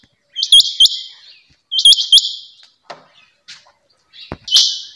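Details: Female rain quail giving two quick buzzy double notes with sharp upward flicks, then a pause with faint clicks, and a final longer buzzy burst at the end.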